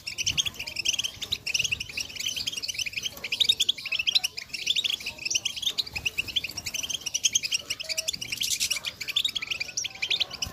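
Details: Softer, more distant chorus of female European goldfinches calling to excite males into song. Thin, high twittering chips run continuously over a hissy background, with a brief harsh rasp near the end.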